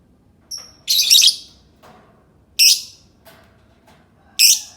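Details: Lovebird uttering a thin whistled note followed by loud, harsh, high screeches, three main calls over a few seconds with quiet gaps between.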